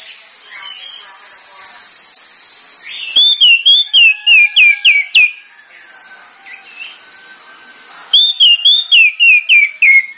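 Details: In the morning an orange-headed thrush gives two bursts of rapid, clear whistled notes, each with about seven quick slurred whistles descending in pitch, separated by a steady high-pitched hiss.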